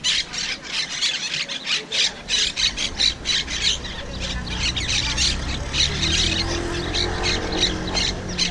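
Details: Wild invasive monk parakeets (Myiopsitta monachus) at Malagueta beach, Malaga, give rapid, harsh squawking chatter, many short notes several per second, over a low rumble of surf or wind.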